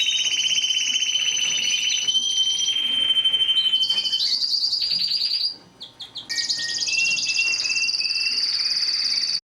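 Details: Mosaic canary song: a long level trill, a sharp whistled note, and rapid high rolls in several tours. It briefly dips quieter, then continues as a bright fast trill.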